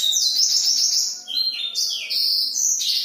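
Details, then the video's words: Black-throated canary singing vigorously at night: a bright, high run of sweet whistled notes, some sliding down and others jumping up, strung together with barely a pause over three seconds. "blackthroat gacor malam hari"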